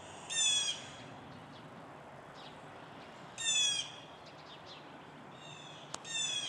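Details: Several blue jays sound off on a dreary, white-skied morning around 10:10 a.m. on 2 April 2026. One gives harsh, buzzy jay calls, three half-second bursts a few seconds apart. Aircraft are heard overhead.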